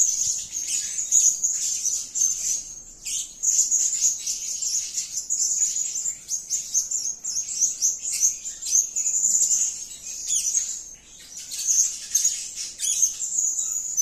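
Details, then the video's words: Blue-crowned hanging parrot giving its calls: a long, steady stream of very high, sharp, shrill twittering notes, pulsing in intensity with brief dips. "suara gacor si Sayap Kuning memanggil"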